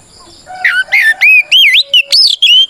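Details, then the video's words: Oriental magpie-robin in full, open fighting song, summoning opponents and provoking other birds to reply. A quick string of about eight loud whistled phrases, each rising or falling and sliding, follows a quiet start. "Suara Burung kacer gacor NGEPLONG tarung"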